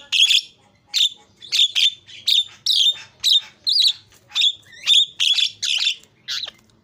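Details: Javan myna singing energetically after a lure recording, repeating loud, harsh squawks with a whistled edge about twice a second in an uneven, steady stream.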